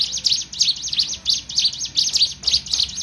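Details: A Sunda warbler (ciblek gunung), a kept songbird described as learning to fight, pours out a rapid, unbroken stream of thin, high chirps and twittery notes, several per second.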